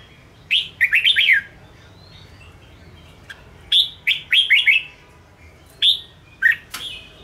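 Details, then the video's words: Red-whiskered bulbul song used to provoke and train caged birds: bursts of bright whistled notes around the upper-middle range, quick rising and falling phrases, loud groups near the start, middle and end with quiet gaps between. "Chào mào Ché kích bổi căng lửa/kích chào mào sổ bọng/kích bổi ra âm/Luyện chào mào chơi giàn"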